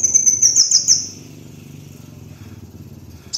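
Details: Kolibri wulung sunbird song used as a master lure recording: a thin, very high, fast trill of sweeping notes for about a second, then quiet with a steady low hum and a brief high note at the end.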